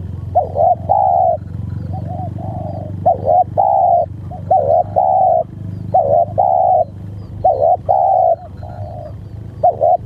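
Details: Spotted dove giving about six repeated coo phrases over ten seconds, each a quick quavering note or two and then a drawn-out low coo, with faint rumbling background.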